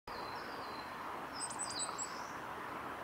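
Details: Coal tit bathing at Kawaguchiko Field Center, recorded 1 May 2016; thin high whistled notes around the middle, a few brief sharp tones over steady background hiss.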